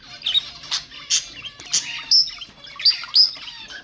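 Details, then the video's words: Budgerigar sounds for mating stimulation: quick chirps and clipped squawks with a few clear, high whistled notes, delivered in an irregular chattering rhythm. "تحفيز البادجي على التزاوج حفز طيورك"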